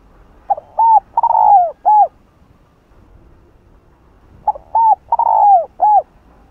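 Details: Caged spotted dove cooing loudly to stimulate other doves: two identical four-note phrases about three and a half seconds apart, each with a long sliding third note and a short rounded last coo.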